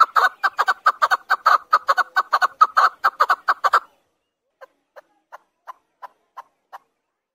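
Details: Rapid clucking series from a chukar partridge for about four seconds, then a pause and a slower run of fainter, spaced chuck notes roughly every third of a second.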